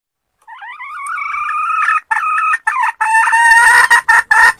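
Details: Wild red junglefowl hen cackling loudly. It opens with a long, drawn, rising nasal note, then breaks into quicker harsh syllables that become an uneven, rapid clucking toward the end.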